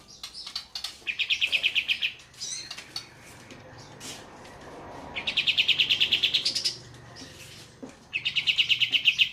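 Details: A group of olive-winged bulbuls (Pycnonotus plumosus) pour out high, rolling trills of rapid notes in bursts of about two seconds, each starting with a few sharp chirps. The clip is arranged as a training recording with trickling water in the background.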